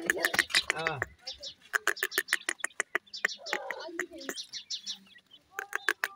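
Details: Grey francolin (teetar) chicks during feeding: bursts of short, bright peeps repeated about three per second, pausing briefly then resuming, while a person speaks nearby.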